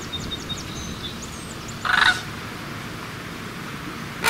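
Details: A single brief, harsh, rolling sandhill crane call in the middle, with thin, high chirps from small birds before it and a low background hum.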